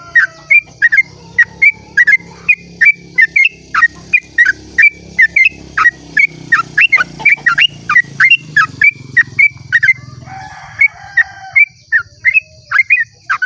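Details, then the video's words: Long, rapid 'ropel' song of a sooty-headed bulbul at dawn, used as a lure to set other bulbuls singing; a fast, nearly unbroken run of sharp whistled chirps, about three per second, over a faint low hum and high insect buzz. "pancingan trucuk ropel panjang cengkok termerdu saat subuh"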